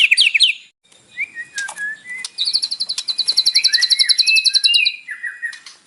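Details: Morning white-rumped shama song packed with mimicry, used to spur captive birds to sing: a high scratchy opening, slurred mid-pitched whistles, then a long fast high trill over rising and falling whistled notes.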